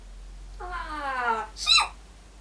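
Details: A pet African grey parrot, which likes imitating coughing and sneezing to attract attention, gives a nasal, falling, voice-like drawl and then a short, rough, cough-like burst. A person speaks softly in the background.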